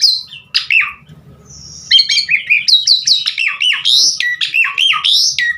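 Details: Javan pied starling (jalak suren) singing a full, varied song used as a training lure for other starlings; a long whistle, then a rapid run of loud slurred, rising and falling whistles and chattering notes.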